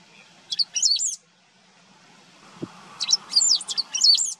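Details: Great pampa-finch singing in wetlands at Maldonado, Uruguay, September 2022: a short phrase of sharp high notes and squeaky warbling, a pause with one faint low thump, then two phrases sung back to back.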